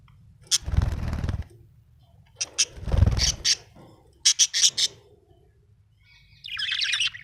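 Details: A happy budgerigar chirps in quick bright clicks and short squeaky notes, ending in a rough warbling chatter, with dull thumping noises in between.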